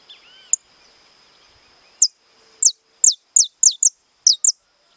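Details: Captive saffron finch singing 'estalado': one early high note and a pause, then a string of seven sharp, high, falling notes delivered roughly every third of a second.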